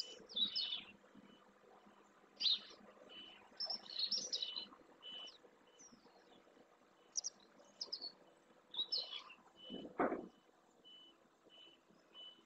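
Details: A Whinchat feeding on a dry lagoon bed in the Doñana marshes, Spain, possibly a migrant or one wintering there, gives short, high chattering and scratchy notes in scattered bursts, with a steady thin tone behind and a brief low thump near the end.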